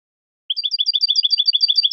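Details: Tutor recording of Spanish-style European goldfinch song for young birds: after a short silence, a steady string of about a dozen quick two-part chirps, each a low note flicking up to a higher one, evenly spaced.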